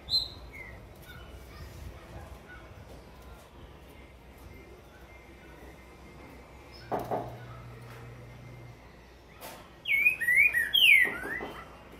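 A green-winged saltator ends with a burst of loud, slurred whistles that rise and fall. Faint chirps come earlier, with a low steady hum in the middle.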